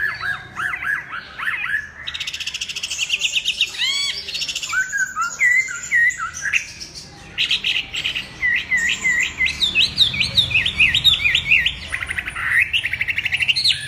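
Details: Long, varied Chinese hwamei song of loud whistled slurs, rapid trills and repeated phrases, with brief pauses and harsher, noisier notes in between.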